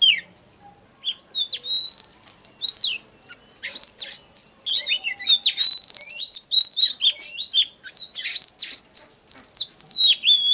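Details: Oriental magpie-robin song used to trigger singing and lure wild birds: loud, varied whistled phrases and sharp chirps, clear slurred notes mixed with harsh buzzy bursts, pausing briefly before a dense rapid stretch.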